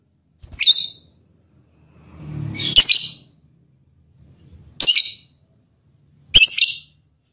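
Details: Four shrill, squawky chirps from a lovebird giving its mating call to a male partner, spaced unevenly, with a low rustling sound just before the second chirp.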